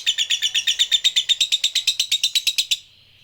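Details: Fighter lovebird chattering, the 'ngekek' heard as a lure to draw a response from rivals: a fast, even run of harsh buzzy notes, nearly three per second, ending in a brief fading trill.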